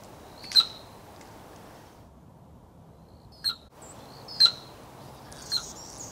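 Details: Four sharp, explosive chirps at a steady high pitch, spaced irregularly against a faint hush, made by the tail feathers of male Anna's hummingbirds at the bottom of 50 mph courtship dives to woo females, in suburban Portland, Oregon.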